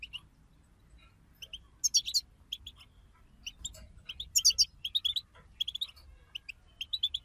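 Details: Collective European goldfinch twittering meant to rouse a goldfinch to sing: scattered high chirps building into brighter jangling bursts midway, then steady short twitters, over soft low background noise.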